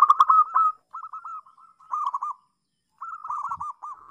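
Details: Local zebra dove singing melodiously, used as a model for doves learning the song; staccato cooing phrases in quick rolled series, separated by short silences, with three bursts across the recording.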